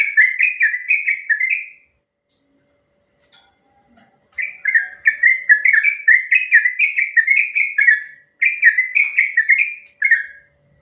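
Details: Long rolling song of a sooty-headed bulbul, recorded as training material to draw answers from other birds: bursts of quick, slurred, bubbling whistles repeated in phrases, separated by short silences.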